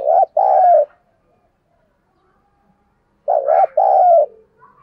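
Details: Decoy spotted dove, thổ voice style, cooing to lure wild birds: two loud phrases about three seconds apart, each a short note then a longer, slightly falling coo.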